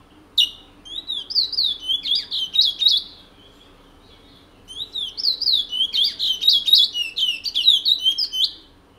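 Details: Caged Chestnut-bellied Seed Finch, kept since 1986, from French Guiana, singing a prized regional song style from Matiti: two bursts of rapid, high warbled and twittering phrases separated by a short pause.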